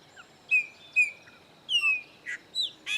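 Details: Chopi blackbird on a farm in Bahia's Caatinga sertão, one of three visiting birds. Long clear whistles slurring downward, spaced roughly half a second apart, followed by short harsh buzzy notes and an upslurred chirp over quiet background.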